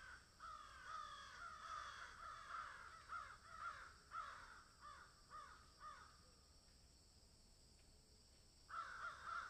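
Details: Field crows call in a long rhythmic chain of hoarse caws, roughly two per second, fading after six seconds, then a fresh loud caw burst.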